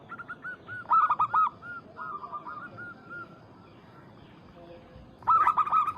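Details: Zebra dove of a local strain calling a rival, with loud rolling coo bursts at the start and end and quieter cooing between them from more than one bird.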